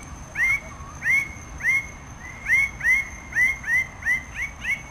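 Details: Red bird-of-paradise (Paradisaea rubra) repeating nasal, rising, bell-like notes, first spaced then quickening into a closer run near the end, a steady thin high tone lying beneath.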